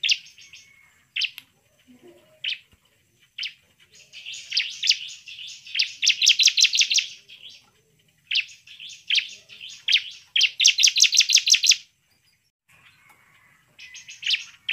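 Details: Energetic bar-winged prinia singing, meant to provoke rival birds into angry, persistent singing: single high chirps give way to fast, buzzy rattling trills in long bursts, with short gaps between phrases.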